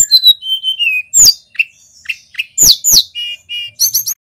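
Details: Singing male mountain white-eye from Pacitan, in full repertoire-rich song. Falling whistled phrases and sharp high downslurs alternate with steady mid-pitched whistles, ending in rapid high twitters.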